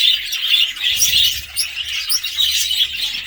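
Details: Busy budgerigar warbling: bright, scratchy chirps and twittering notes pour out continuously in loose pulses, with a faint low rumble in the background.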